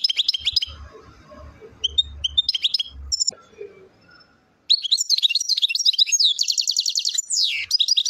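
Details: Goldfinch from the Mendes district of Relizane, Algeria, at Chouala: choppy twittered notes over low knocking sounds, a pause, then a sustained rush of bright twittering with a buzzy rattling trill and sliding notes.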